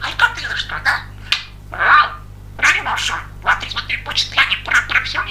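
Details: Talking male pet budgerigar, a very talkative and funny bird, chattering nonstop in a fast, scratchy, speech-like warble of clipped syllables and squeaks, with brief pauses between bursts.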